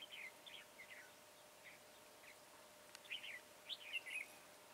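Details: Red-whiskered bulbul, long-bodied with tall crest and deep-coloured bib, heard while being trapped on 22 January 2018; faint, scattered whistled chirps, then a clearer warbling phrase near the end, under constant hiss.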